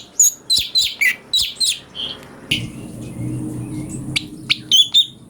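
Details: Cucak cungko heard as a training master for magpie-robins, with a handful of crisp, clipped chirps, then a soft noisy lull and a few more sharp notes at the end.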